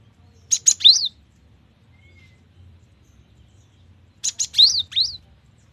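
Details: Gacor gelatik batu, the cinereous tit: two song phrases roughly four seconds apart, each opening with sharp buzzy notes and ending in paired high whistles that arch up and down.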